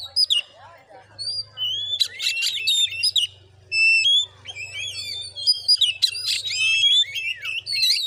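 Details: Oriental magpie-robin in fighting song at a village home in Muko Muko, Bengkulu, Indonesia: sparse whistles building into busy bursts of upslurred and downslurred notes, with harsh crackling notes mixed in and a low background hum.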